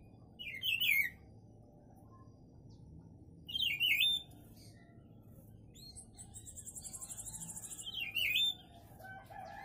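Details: Papa-pimenta, a kept bird, singing short warbled phrases that twist up and down, three of them spaced about three seconds apart, with a steady high buzzing pulse sounding between the later phrases.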